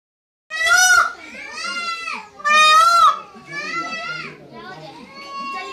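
Loud, nasal wailing cries from a peacock, two strong drawn-out calls about two seconds apart with softer, hoarser wails between them.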